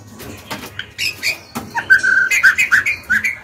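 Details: Female white-rumped shama, a kept songbird, singing to provoke males and young birds into song; varied whistled phrases and short chirps, some notes sliding down, in quick bursts with brief gaps between them.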